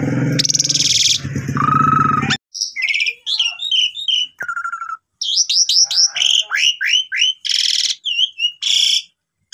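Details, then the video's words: Lure song of the pied myna meant to get silent mynas singing again. A noisy harsh burst opens, then quick sliding whistles and chirps come in short clusters separated by brief pauses. "Pancingan Jalak Suren Macet Bunyi"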